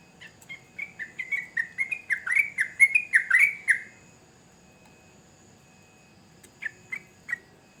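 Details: Sooty-headed bulbul in lively 'gacor' singing, a phrase of about fifteen quick bubbly notes building in loudness over four seconds, then silence before three short whistles near the end.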